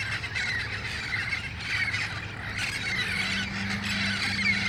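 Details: Red-faced parrots, wild, flocking at dusk in El Cajon before heading to their roost trees, August 1, 2018: continuous raucous squawking from many birds, with a low steady drone beneath and a faint tone near the end.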